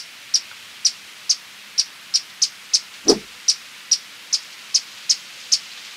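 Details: Violet-crowned woodnymph calling with a long run of short, high, sharp chips repeated roughly every half second. A single dull low thump interrupts midway.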